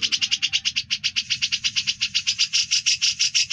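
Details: Ngebren trill of a grey-cheeked bulbul for training songbirds: coarse rasping pulses repeated about five to six times a second in an unbroken run, with low background rumble.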